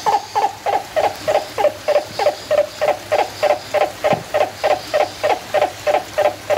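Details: A turaco at San Diego Zoo Safari Park on 10 November 2020 gives a long, steady series of harsh, hollow croaking notes, about three a second, each note dipping slightly in pitch.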